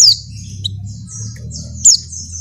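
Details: Two piercing, downward-sliding high notes, nearly two seconds apart, from a breeding female Oriental white-eye calling a male, with soft thin high notes in between and a low background hum.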